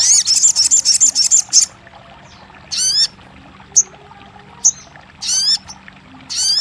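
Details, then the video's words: Crested jay (sogon) played to encourage a silent bird to sing: a fast high rattle of about one and a half seconds, followed by scattered short upswept chirps and brief rattling bursts after quiet gaps. "TERAPI RAJANYA SOGON MACET BUNYI | 1 Jam Langsung Buka Patuk & Nyahut!"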